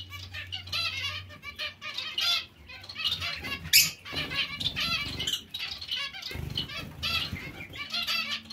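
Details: Group of zebra finches among other finches calling in irregular clusters of nasal tooting notes and twitters, with wing flaps and a low background rumble.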